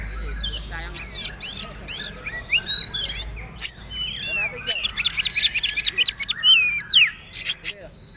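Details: Song of a kacer poci trotol, an Oriental magpie-robin, used to tutor caged birds: starts with scattered clicks and soft notes, then builds into quick whistled slurs and chatter.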